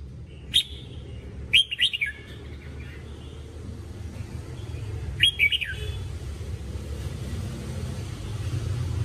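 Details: Red-whiskered bulbul training song: short, sharp chirps followed by two quick warbled phrases, set against a rising low rumble like traffic.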